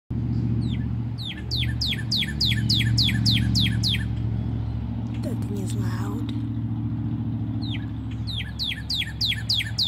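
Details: A male northern cardinal sings loudly from redbud branches to attract a mate: quick runs of clear, downslurred whistles, about four per second, in two bursts over a steady low engine rumble.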